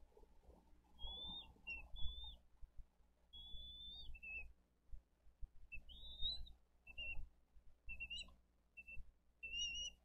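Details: Bald eagles feeding eaglets with fish at a Dade County nest on 22 April 2023, recorded by nest camera; scattered, fairly soft high whistled notes, some slurring downward, separated by gaps, over low rumbling noise.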